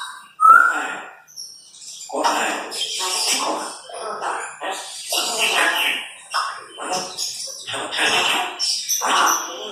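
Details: Two pet Congo African grey parrots, aged 4 and 9 years, chatter in a string of hoarse, speech-like phrases broken by a sharp whistle, with voices overlapping every second or so.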